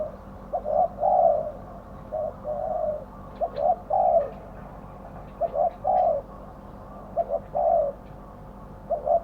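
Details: Decoy spotted dove calling to attract wild doves for trapping: repeated low, rough coo phrases, each a short note followed by a longer drawn-out one, recurring roughly every one and a half seconds, with a few faint clicks.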